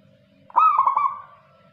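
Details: Local zebra dove in active song: a single short cooing phrase, a tonal note with a quick rolling, trilled wobble that fades out after about half a second, in an otherwise quiet setting.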